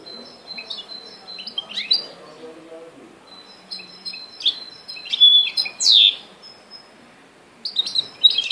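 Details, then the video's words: Goldfinch and canary hybrid singing in scattered bursts: thin high whistles and twittering notes, a few louder slurred phrases near the end, with faint background murmur. "Carduelis x canary ..goldfinch x canary"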